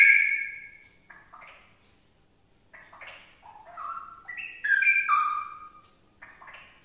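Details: Straw-headed bulbul singing, used to prompt another bird to answer in song. A loud liquid opening phrase falls away into softer, scattered whistles, then a strong bubbling run of slurred notes swells before fading.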